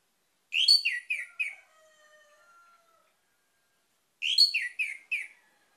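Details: Orange-headed thrush lure song: two phrases of four quick descending whistles about three seconds apart, with soft, thin sustained tones drifting between them.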